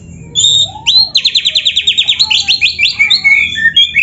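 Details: White-rumped shama in a varied lure song: a clear high whistle, a low rising-falling note, then a rapid trill of repeated notes about ten per second, ending in sliding whistled phrases.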